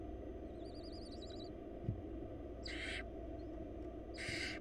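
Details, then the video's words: In a Florida nest box, wild barn owl chicks being fed by their mother give two raspy hissing screeches near the end, after a short warbling chirp from another bird at the start. "Baby Barn Owls Get Fed by Their Mom"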